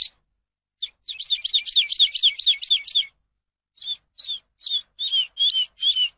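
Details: Skylark song meant for teaching captive birds: a fast, jumbled series of buzzy, rising notes, a pause, then slower, spaced, down-slurred whistles repeated about twice a second, in a quiet setting.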